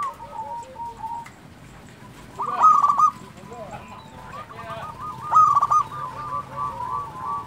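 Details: Local zebra dove (perkutut lokal) singing keenly: two loud, fluttering trilled coos about three seconds apart. Quieter bubbling coo sequences from other doves fill the gaps.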